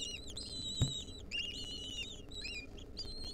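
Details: Wild lesser kestrel young beg while being fed a mouse by their mother; dense, overlapping high squeals and wavering whines fill the clip, with a thump near the start and rumbling background.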